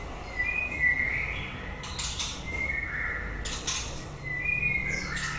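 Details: End-of-breeding-season song of a white-rumped shama, with fairly soft, clear mid-pitched whistled phrases sliding slightly, broken by short scratchy broadband notes and a thin high note near the end.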